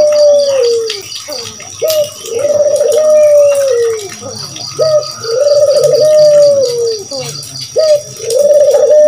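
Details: Spotted dove, used as a lure call, giving low, rolling, drawn-out coos, each phrase rising then sagging, about every three seconds, over a faint steady high ringing in the background.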